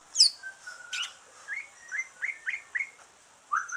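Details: Green leafbird song, kept bird singing after moulting, used to stimulate other birds: a series of short rising whistled notes around the middle pitch, spaced about a quarter second apart, with a few higher sharp chirps.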